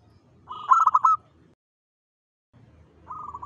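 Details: Zebra dove of local stock in full dawn song, giving one quick, bubbly phrase of stuttering coos, then a pause before the next phrase begins softly over a low background murmur.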